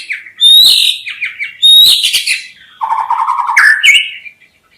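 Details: White-rumped shama delivering two piercing high whistled phrases with trailing chatter, then a lower buzzy sustained note and a rising clear whistle.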